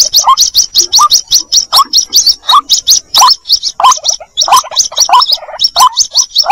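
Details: White-breasted waterhen (Amaurornis phoenicurus) chick calling its mother, used as a lure sound: rapid, shrill, high peeps, several per second, with a lower, rising chirp every second or so.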